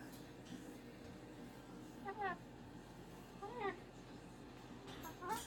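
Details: Home-kept cockatoo complaining on a Monday morning. Brief bent, nasal cries come roughly every one and a half seconds over a quiet room hum.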